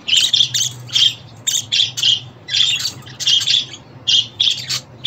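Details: Budgerigar chatter aimed at new or young pet budgies: dense grating chirps and squawks in overlapping bursts, nearly continuous with brief pauses, bright and harsh, with a low steady hum underneath.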